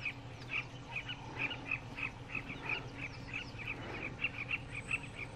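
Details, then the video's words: Several southern carmine bee-eaters in Kruger National Park give short, rolling, throaty chirps in quick overlapping bursts over a low hum. "Southern Carmine Bee-eater call / sound"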